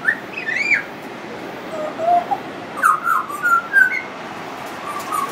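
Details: Friendly pied butcherbird singing on and on, its song said to include mimicry: clear fluting whistles, some sliding up and down, in short phrases separated by pauses, with faint higher chirps from other birds behind.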